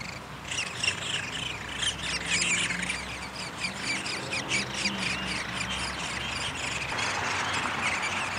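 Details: A pair of Downy Woodpeckers at their nest during feeding, 20 May 2021, give harsh, buzzy, chattering calls in rapid overlapping bursts, about four a second, over a steady hiss of outdoor background noise.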